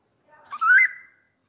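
An African grey parrot gives one short, voice-like utterance: a breathy start sliding up into a clear, rising tone, lasting under a second.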